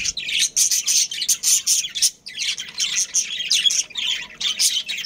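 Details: Budgerigars, Australian parrots kept as a breeding pair with family, make a loud, continuous high twittering chatter. There is one brief pause near the middle.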